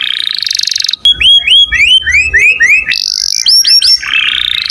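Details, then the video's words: Canary singing for use in training songbirds: a dense buzzy trill breaks into a row of bright rising-and-falling whistled notes, then quick upslurred chirps and another rolling trill, loud and close. "Kenari gacor cuit cuit cocok buat masteran burung kicau"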